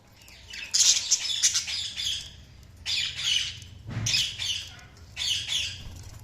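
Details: Budgies chatter in four rasping, warbled bursts about a second long, each separated by a short lull.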